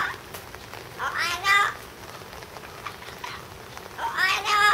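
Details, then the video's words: Yellow-naped amazon at a zoo, filmed in July 2011, shouting: two loud, harsh, drawn-out squawking cries with rich layered tones, a few seconds apart, over steady background noise. "キエリボウシインコ「わあああーーー！！！」Yellow-naped Amazon shout !!"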